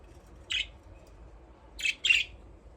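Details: Budgerigars playing in their aviary, giving three short harsh chirps, one near the start and a close pair later, over a quiet low hum.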